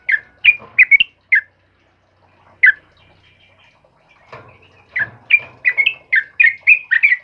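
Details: Yellow-vented bulbul of the 'kebo' type singing vigorously in the morning: bubbly, gurgling notes in quick clusters, a pause with faint chatter, then a rapid, repeated run of rich warbled phrases.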